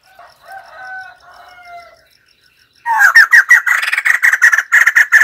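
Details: Soft, wavering whistled notes open the recording, followed by a white-crested laughingthrush bursting into loud, fast, repeated cackling that continues for over two seconds.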